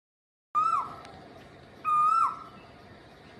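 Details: Cuckoo calling twice: a loud, drawn-out whistled note, level and then dropping sharply at the end, over a faint steady hum.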